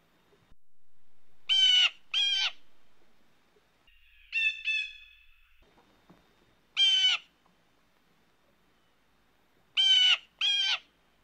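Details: Blue jay mating call: harsh, buzzy jay notes mostly in pairs, with one drawn-out nasal note, spaced by pauses of a few seconds over about eleven seconds; quiet background.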